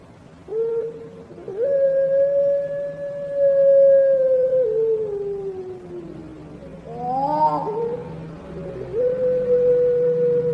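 Barbary dove giving a very long, smooth, drawn-out coo that holds steady and slowly sinks, followed by a brief warbling break and another sustained note.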